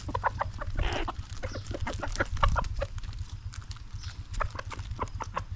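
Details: Several backyard chickens clucking in short, clipped notes at an irregular pace, with a brief rough noise burst near the start and a low rumbling hum beneath.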